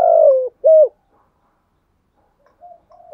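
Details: Spotted dove used as a decoy, cooing to provoke and lure wild doves: two loud, low hooting coos, the first drawn out and falling, the second short, followed by fainter softer coos after a pause.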